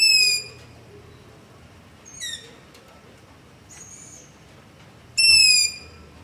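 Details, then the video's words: Long-eared owl begging at night near a house, recorded using a Zoom H5 and LOM Usi Pro mics: a loud squealing note, a softer falling squeak, a faint thin whistle, then another loud sustained high squeal, spaced roughly two seconds apart. "Long-Eared Owl - Begging Call"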